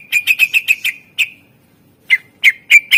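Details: Greater green leafbird, likely a caged bird, in a full, rich song used as a lure for other birds: a rapid series of sharp, bright whistled notes, then a pause and more spaced, ringing notes.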